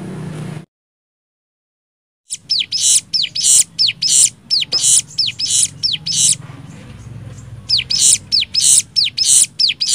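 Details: Cigun song in nembak style, used as tutor material: after a short silence, loud paired bursts start, each a high curved whistle followed by a harsh hiss, repeated quickly and evenly.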